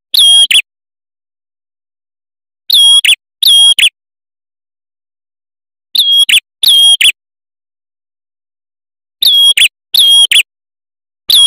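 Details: Red-headed prinia male, known locally as prenjak kepala merah, calling for trapping lure and tutor use: clipped double whistles, high and piercing, repeated in pairs about every three seconds against a silent background.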